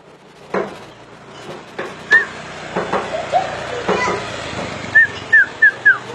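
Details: Common iora with scattered sharp whistled notes, then a quick series of four clear downslurred whistles near the end, over a steady low hum with occasional knocks.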